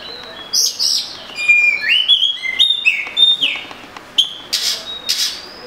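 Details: Oriental magpie-robin (murai kampung) song: a fast run of sweet whistles with upward and downward slurs, ending in a couple of harsh, scratchy notes.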